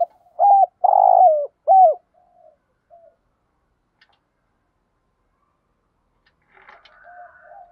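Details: Spotted dove giving a thổ pha đồng style thúc gù coo, used to excite training birds: a short note, a long burry coo sliding down, and a clipped final note, followed by faint soft murmurs and a distant scratchy sound.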